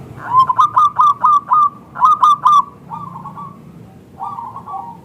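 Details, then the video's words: Zebra dove song used to lure others into answering: loud, rapid chains of clipped, bubbly coo notes, about five per second, then softer trailing phrases over a low background rumble. "Perkutut Lokal Gacor SUARA Kristal TEBAL Jitu AHLINYA UNTUK pancingan perkutut NYAUT"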